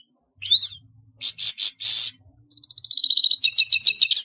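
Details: Grey-headed goldfinch: a short twitter, three loud hissing bursts, then a rapid buzzy trill of repeated notes speeding up toward the end.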